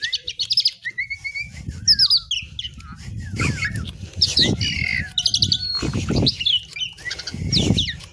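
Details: Asian pied myna (jalak suren) pouring out a varied song of whistled slides, short trills and scratchy notes, over a steady low rumbling background with occasional thumps.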